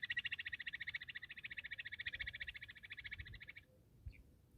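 A bush quail gives a fast, even series of high, clipped notes, about ten a second, running for three and a half seconds before stopping, over a low rumble.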